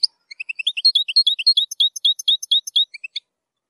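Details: Goldfinch zilzal song used to tutor young birds, containing strong phrases; a steady run of about twenty clear, rising and falling chirped notes delivered quickly, then silence.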